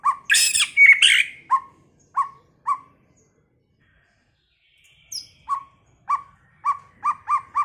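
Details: Varied song of a white-rumped shama, opening with a loud, jumbled whistled phrase, then clipped, evenly spaced chip notes, a pause, a thin high squeak and a faster series of the same sharp notes.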